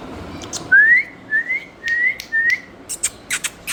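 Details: Pet parrot, a mithu, whistling four clear rising notes in a row, each about a third of a second long, followed by short sharp clicks and ticks.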